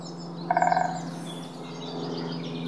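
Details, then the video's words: Great spotted woodpecker of the subspecies pinetorum: one short, stuttering burst of rapid nasal notes lasting under half a second, over a steady low hum and faint background birdsong. "Vogelstimmen: Der Buntspecht - Great spotted woodpecker - Dendrocopos major pinetorum"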